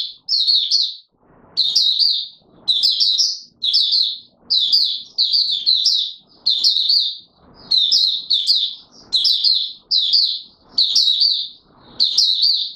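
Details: Steady series of bright, high chattering phrases, about one per second, from an Oriental white-eye (Mata Puteh Raja) in courtship mode on 25 January 2022, with light clicks and rustles underneath.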